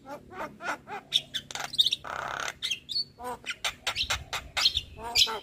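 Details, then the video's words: Javan myna, the white-eyed jalak kebo, sung as a prompt for lazy birds: rapid clicking notes, a raspy buzzy burst and high thin whistles, with faint low hum behind. "Pancingan Burung Jalak Malas Bunyi Rutin Kasi Pancingan Suara Jalak Kebo Mata Putih"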